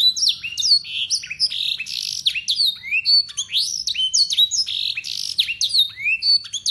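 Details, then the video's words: Local Yorkshire canary singing blackthroat and sanger phrases as a model for young birds: rapid repeated high notes, rattling trills and bright downward-slurred whistles, loud and continuous. "KENARI YORKSHIRE LOKAL GACOR FULL ISIAN BLACKTHROAT SUARA JERNIH"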